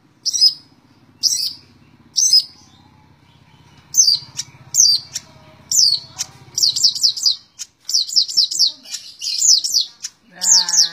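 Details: Long-tailed shrike singing in the tembak ngebren style: sharp high chirps spaced about a second apart, then a denser run of rapid repeated notes, over a low background hum, with a harmonic buzzy sound at the end.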